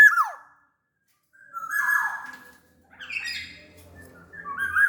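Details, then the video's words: Kepodang sumbawa, a large-bodied black-naped oriole: a sharp downslurred whistle, a smooth sustained fluty phrase, then scratchy higher notes and rising whistles, with a soft low hum in the background. "SUARA KEPODANG GACOR pancingan kepodang agar bunyi"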